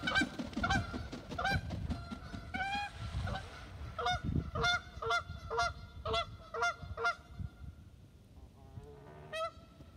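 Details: A Canada goose calling to another goose gives loud, nasal two-note honks, several quick ones in a row at about two per second, over a low rumble of wind.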